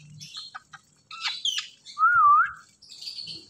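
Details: Indian ringneck parakeet, called a talking parrot, makes scattered chirps and a harsh burst, then a loud wavy whistle rising at its end, followed by soft hissing chatter.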